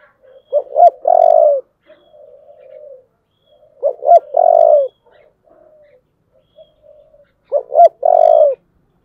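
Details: Spotted dove in 'giọng thổ' voice calling to spur a fight, three phrases roughly every 3.5 seconds: paired short hooked coos and a long rough note each, with quiet murmuring coos between.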